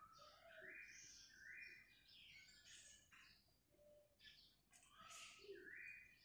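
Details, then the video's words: Black-crested bulbul, known locally as kutilang emas, in full lively song used as a lure recording to prompt other birds to sing: dense overlapping chirped and warbled phrases, some rising and falling, over a soft hiss. "KICAU BURUNG KUTILANG EMAS GACOR suara Kristal / Pancingan Kutilang Emas Gacor full isian"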